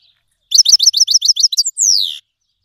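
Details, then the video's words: Iranian Himalayan goldfinch (black-headed cross) from Fars province singing: a quick run of about ten bright, tinkling twitters ending on a long descending buzzy trill; nothing else is heard. "Himalayan Goldfinch Singing"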